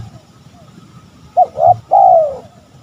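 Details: Spotted dove cooing as a lure to draw rival males: one phrase of two short clipped coos, then a long, smooth, slightly falling coo. Background is quiet apart from a faint low hum.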